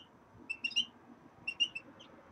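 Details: Caged common redpolls settling into a new cage give two short groups of high, clipped metallic notes, three or four quick notes per group, over faint low room noise.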